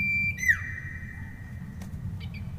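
Common iora giving a long, pure whistle, then a swooping note that settles into another drawn-out whistle, ending with two short higher notes over a low hum.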